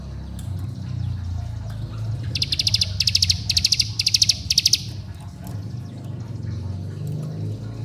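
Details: Bar-winged prinia lure call to attract companions, rouse rivals and stimulate young birds. A short run of five high, rattling bursts sounds midway through, over steady low rumbling background noise.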